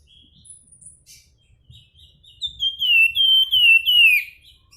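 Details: Javan tesia (flamboyan) singing: after faint high notes, a loud run of clear whistled phrases, each sliding downward, repeated about three times a second.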